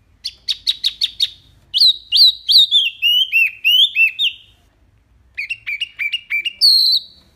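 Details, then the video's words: Wambi singing fast 'tembakan' shots, recorded as tutor audio for caged birds: rapid stuttering high chirps, twisting whistled phrases of rising and falling notes, a short pause, then another quick volley of sharp notes. "SUARA JERNIH TEMBAKAN WAMBI MINI"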